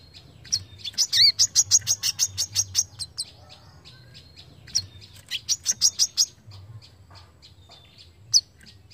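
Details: Brown-throated sunbird delivering a rapid, sharp 'besetan' song used as a tutor recording for songbirds: two fast runs of thin, very high chips, each lasting about two seconds, then sparse single notes, over a soft low hum.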